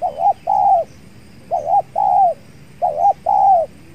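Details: Spotted dove (tekukur) calling during a trapping session with a decoy, a fierce wild dove at the site; three evenly spaced mellow coo phrases, each a brief note followed by a longer falling note, over a quiet background.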